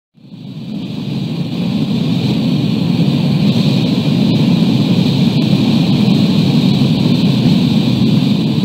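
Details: Loud, steady engine roar from a vehicle or aircraft, building up over the first second and then holding as a dense low rumble with a hiss above it; no animal voices.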